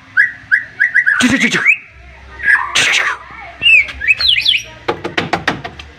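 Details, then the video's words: Excited white-rumped shama song meant to provoke rival birds: short repeated whistled notes, harsh broadband bursts, a quick rising zigzag phrase, then a rapid series of sharp clicking ticks over a faint low hum. "MURAI BATU OVER EMOSI DENGAR TEMBAKAN nya bikin lawan nya ikutan emosi dan ikutan GACOR"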